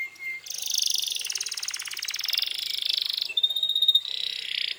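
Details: A canary in full, lively song, used to provoke other canaries into answering emotionally: a long stream of very rapid, rattling high trills that shift in pitch, with a bright whistled note near the end.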